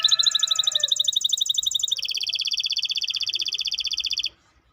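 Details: Maestro bird singing: a fast, high rolling trill of sharp repeated notes that shifts after two seconds into a steadier, lower, even-paced trill, then stops abruptly.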